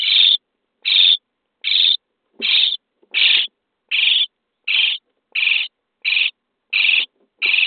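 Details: Starling chicks in a nest box on day 23, calling for food while being fed: steady, evenly spaced rasping calls, around ten in quick succession, each a short hissy burst.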